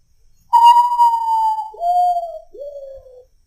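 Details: Common potoo, known locally as urutau, singing in nature; three mournful whistled notes stepping downward, a long, slightly falling first note followed by two shorter sliding notes, each lower than the last, against a quiet background.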